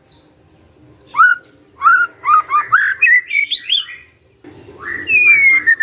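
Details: Magpie-robin kept as a songbird: high thin whistles, then a burst of rapid looping notes rising in pitch, a brief silence, and a long descending whistle over a low hum.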